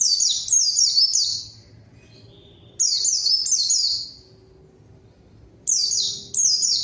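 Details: Pleci song used as a lure to provoke a rival and make silent birds sing; three high, rapid phrases of down-slurred chirps, each over a second long, separated by pauses.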